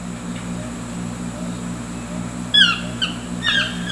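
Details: Two toucans singing to each other on an afternoon at Las Villas de San Buenas, near Ojochal de Osa, Costa Rica: three hoarse, croaking notes in the second half over a steady low hum and background hiss.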